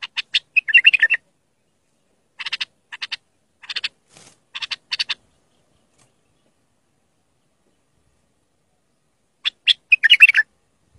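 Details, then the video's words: Bulbul singing cleanly to train young bulbuls: warbled phrases open and close the recording, with clusters of dry clicking notes between and a long silent gap. "تغريد صافي يفيد اذا عندك بلابل صغار او بلبل ميغرد"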